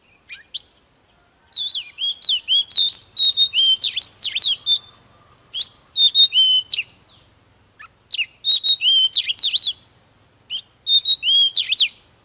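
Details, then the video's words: Oriental magpie-robin singing hard, a recording meant to fire up other magpie-robins: bursts of sweet whistled notes with sharp upslurs and downslurs, phrases lasting about a second and separated by short pauses, over a faint low hum. "Chòe than HÓT MÚA || KÍCH LỬA || Kích chòe than hót căng"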